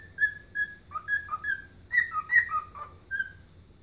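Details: Dancing pet bird whistles its version of Chelsea Dagger: pure whistled notes stepping up and down in a tune-like pattern, some long held tones, several short paired notes, over a quiet low background hum.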